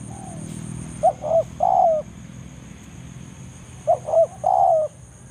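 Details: Banggo-style lure calling of a wild spotted dove in forest, summoning a rival. Two matching phrases, each a quick pair of low coos then a longer wavering coo, separated by a pause.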